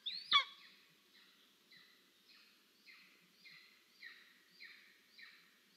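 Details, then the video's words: Golden eagle chick begging for food on its nest in Estonia, live nest camera, 10 July 2022: one loud sharp descending cry, then a run of softer, fading high slurred calls repeated about every half second. ""I'm over here Mom!" Estonian Golden Eagles"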